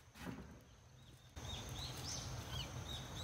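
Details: Swallow nestlings, six in a nest by a rural house doorway and six days old, call while being fed by both parents: sharp, high arched chirps come in a quick irregular run after a short quieter opening, against constant background hum.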